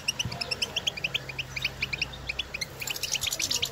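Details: European goldfinches in nature calling to one another. Rhythmic pairs of high chirps repeat several times per second, thickening into denser twittering toward the end, with a low hum throughout.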